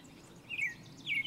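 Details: American robin singing atop a tree in spring: two brief, clear whistled phrases, each slurring slightly downward, about half a second apart, over a faint steady outdoor hiss.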